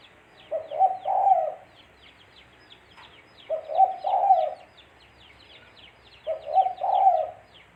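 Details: Spotted dove used as a lure for bird trapping, giving three hoarse, mellow cooing phrases roughly every three seconds, each a brief lead note then a longer rolling coo; high chirps of other birds run underneath.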